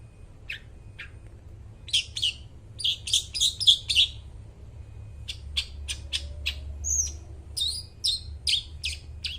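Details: Long-tailed shrike singing actively, a song used to lure and train mute shrikes: sharp high chirps and buzzy notes in quick, uneven bursts, some rapid clusters and a brief slurred whistle, with a low steady hum beneath.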